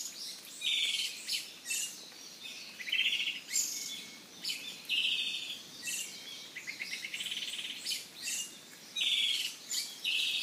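An Izu thrush sings short, bright phrases of trilled and buzzy notes, each about a second long, separated by brief pauses, over faint background hiss.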